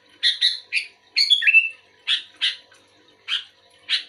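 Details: An active sooty-headed bulbul answers another bulbul that is reluctant to sing: paired bright notes, a short burst finishing in a downward whistle, then isolated sharp chirps at intervals of about half a second.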